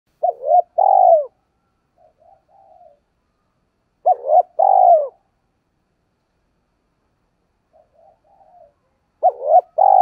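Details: Spotted dove kept as a lure bird to provoke wild doves into cooing, voice style called giọng thổ; low, mellow coo phrases, each a quick double note then a long drawn coo, repeated about every four seconds with soft murmurs between.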